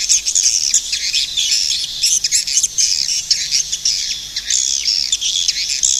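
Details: Swiftlet producing dense, scratchy high twitters in overlapping clusters, a continuous chattering with brief gaps.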